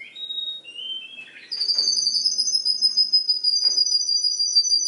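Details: Canary singing songs copied from other birds, starting with stepped whistled notes and then settling into a long, steady, high rolling trill held for over three seconds.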